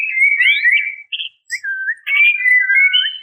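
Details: Female white-rumped shama calling males, played to lure them in: clear whistled notes sliding and wavering at mid pitch, broken by a short pause, then resuming with longer level whistles.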